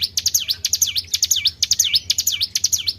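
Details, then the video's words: Short burst of a Tribel bird call meant to lure other birds, made of sharp ticks and loud high whistles that slide down then up, repeated in quick succession without a pause. "PANCING BUNYI BURUNG TRIBEL"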